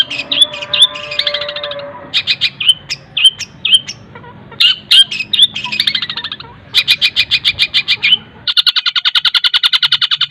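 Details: Long-tailed shrike song filled with mimicked phrases of other birds, used as a master recording to teach other birds; fast varied chattering and whistles, ending in a long rapid run of evenly repeated harsh notes.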